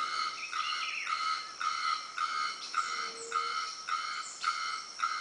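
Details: A bearded bellbird (Procnias averano) filmed in Dianópolis, Tocantins, gives a steady run of loud, metallic, ringing notes, about two per second, each with a bright clanging quality; a faint low hum passes briefly.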